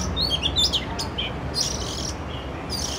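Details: Oriental magpie-robin in town, recorded with a Canon R6: rapid run of clear whistled notes and bright chirps at the start, then softer scattered chirps, with low background rumble.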